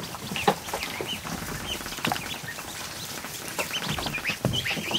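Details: Over a hundred newly hatched ducklings in a kiddie pool inside a barn in the afternoon, a crowd of high, short peeps rising and falling all together, with splashing and knocks from the water and pool.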